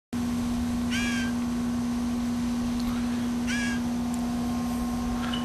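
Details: A hungry young Blue Jay in a yard in July 2007, flapping its wings to beg for food, gives two harsh, raspy begging calls about two and a half seconds apart over a steady low electrical hum.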